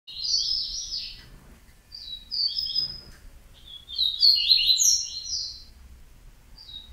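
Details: Yellow-bellied seedeater singing short bursts of high, fast twittering notes, each phrase about a second long, with brief pauses between them and a faint low hum underneath.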